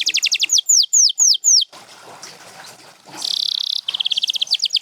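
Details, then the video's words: Canary giving fast chirps and four loud falling whistles, a brief pause with soft background noise, then a dense trilled roll and quick repeated notes. "7 Days to a Singing Canary"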